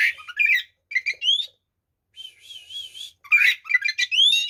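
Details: White-rumped shama (kacer) in fighting song to rile other shamas: chattering notes and rising whistles, a sustained wavering buzzy trill in the middle, then more rapid chirps and upslurred whistles.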